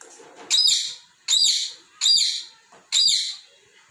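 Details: Pet talking parrot playing with toy balls and scolding them for moving. After a soft rustle, four loud, harsh, high chirps follow one another at a regular, brisk rhythm.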